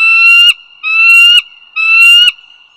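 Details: Bald eagles at Dulles Greenway in north Virginia, recorded 16 April 2022 at 08:55. Three drawn-out, slightly rising whistled notes rich in harmonics, each about half a second long, coming roughly once per second over a quiet background.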